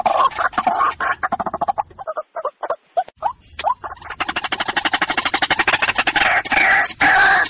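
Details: Hunting call of the water hen: rapid rasping notes in quick succession, a brief near-silent gap with a few scattered rising notes, then the dense clattering series builds again.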